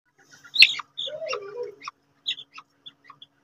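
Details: Quails fighting: one sharp high chirp, then a lower, rough warbling burr lasting about a second, followed by a scatter of short, high, clipped chirps and ticks with pauses between them.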